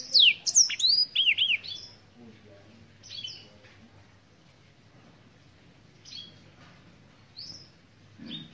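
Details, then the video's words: Brief burst of Black-throated canary song, a bird native to Africa: a quick cluster of looping high whistles in the first second and a half, followed by quiet with only scattered faint chirps. "BlackThroat - Canary BlackThroat Sound"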